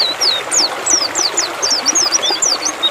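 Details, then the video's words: White-eye song: a fast, unbroken run of thin, high, sliding whistles, mostly falling in pitch, tumbling over each other in a bright twittering stream. "TERAPI PLECI BIKIN GACOR"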